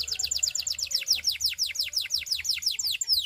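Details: Belgian canary song aimed at seducing other canaries: a steady string of sharply falling notes, roughly seven per second, even and musical throughout.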